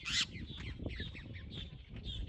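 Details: Caatinga cacholote opens with one loud, harsh squawk, followed by a quick run of scratchy, chattering notes. People talk in the background over a low rumble.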